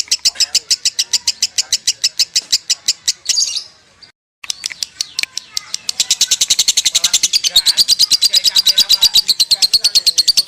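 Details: ['Lovebird konslet song: rapid high chattering pulses, a brief silent break, then an even faster, denser and louder burst of shrill buzzy notes that continues to the end.']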